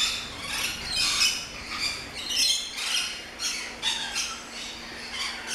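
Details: Rainbow lorikeets screeching as a crowded flock inside an aviary garden at an orchid farm in Luttelgeest, Netherlands: harsh, high squawks pulsing about once a second over steady chatter and a low background hum.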